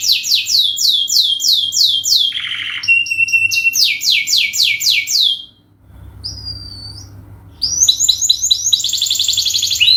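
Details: Canary singing a long lure song used as a master recording for training: rapid trains of falling whistled sweeps, trills and buzzy notes, a near-silent pause around six seconds, then dense bright trilling returns.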